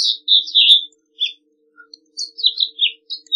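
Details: A male House Finch sings a quick, jumbled warble of bright chirps and slurred notes in two bursts, with a faint low hum underneath.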